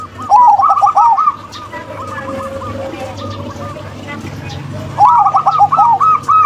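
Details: Zebra doves, a local female and a crossbred male, cooing: a fast run of arched, rolling notes repeated about four per second, a pause with softer notes, then another rapid burst, over a steady low hum.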